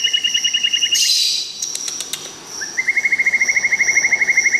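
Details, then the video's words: White-rumped shama from Tangse, Aceh, producing steady rapid trills of clipped repeated notes, a brief noisy burst in between, then another long even trill, over a constant high whine. "Suara Asli Murai Batu Tangse Aceh"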